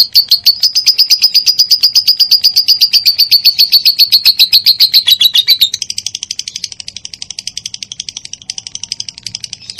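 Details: Lovebird (minor) singing on a training track for other lovebirds: a long, loud run of rapid ticking chirps that slowly drops in pitch, then switches abruptly to a fainter, higher, faster chatter.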